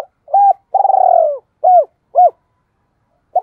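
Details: Double-voiced coo of a spotted dove used to call in and provoke rival doves; short hooted notes around a long trembling, pulsed coo, then two more short coos, clean and loud with no other sounds.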